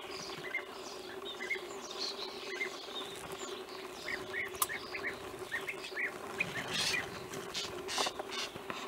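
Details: European bee-eaters in the wild in Romania, 2016: scattered short burry notes from several birds repeated irregularly throughout, fairly distant, with a constant droning hum and occasional brief noise bursts.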